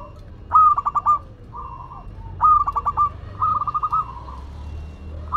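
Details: Local Madura zebra dove singing eagerly: two phrases, each opening with a sharp stuttering burst of rapid notes followed by a smoother rolling coo, separated by short quiet gaps.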